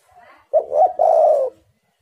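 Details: A single spotted dove phrase from a lure meant to get wild doves calling: a brief soft lead-in, then a two-part stuttering coo running into a long, steady, husky coo that fades away.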